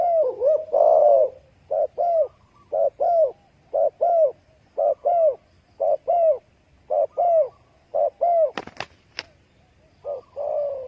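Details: Spotted dove cooing steadily: an opening long coo followed by regular pairs of short hollow hoots about once per second, interrupted by a brief sharp click or knock before a final drawn-out coo.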